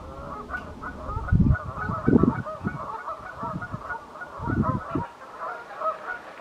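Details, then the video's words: Pink-footed geese at Wyver Lane, a distant chorus of many high honks running throughout, broken by loud low thumps and bursts of rumbling, likely wind or handling noise near the microphone. "Pink footed Geese"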